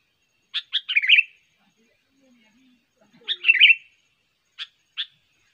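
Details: Trained sooty-headed bulbul lure song: two fluty, tumbling phrases about three seconds apart, each a quick run of notes sliding down, followed by two isolated sharp chips.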